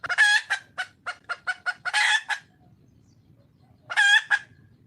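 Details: Wild red junglefowl hen seeking a male: a harsh squawk, then a rapid string of staccato clucks, a second long raspy cry, a pause, and a final squawk with trailing cluck.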